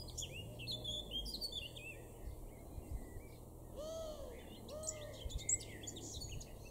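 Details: Eurasian blackcap, a male, in a garden at Weener, East Frisia, northwest Germany, May 2022: bursts of quick chattering warble at the start and end, separated by two lower, arched, harmonic-rich calls from another bird, with a constant low background hum.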